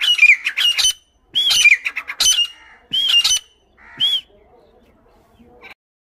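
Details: Grey francolin female in the UAE, filmed close during hunting, giving loud grating squawks with rising whistled inflections in four separated bursts, then quiet with faint low noise.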